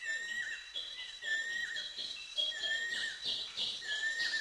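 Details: Banded Kingfisher calling in Thailand: clear, whistled mid-pitched notes, each ending in a short downward slur, repeated roughly twice a second, with a steady thin high tone and light hiss behind.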